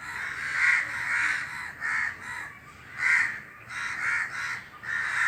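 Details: Several crows perched together in a tree call in chorus, harsh rasping caws overlapping in bursts roughly every second, some louder and nearer, others fainter behind.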